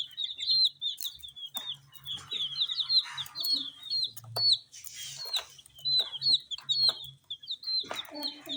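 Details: Coloured baby chickens pecking at spicy Sun Poppers snacks while peeping continuously, with high shrill downward-sliding notes in quick, uneven runs, broken by scraping and rustling bursts.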